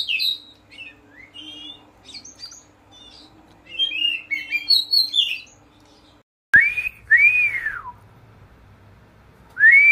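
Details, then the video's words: A ngeplong bird sings quick, varied high twittering and chirps, then loud slurred whistles that rise and drop away, over a low steady hum; the recording is meant as a lure to train kacer birds to answer. "suara ngeplong"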